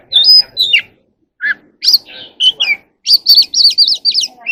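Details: Oriental magpie-robin from the wild sings and dances at dusk. Clear level whistles and short rising notes lead into a lively series of five or six matching looping whistled phrases, with a soft low background hum.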